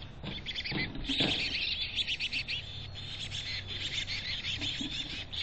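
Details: Chickadee nest box in North Vancouver, with rapid high twittering chirps packed closely across the whole stretch, a few soft low knocks near the start, and faint low hum beneath.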